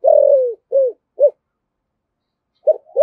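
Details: Spotted dove with the 'thổ' voice style in 'thúc gù' cooing, used to provoke wild doves. A long, low, falling, burred coo is followed by two short rounded coos, a pause, then two more short notes. There is no background noise.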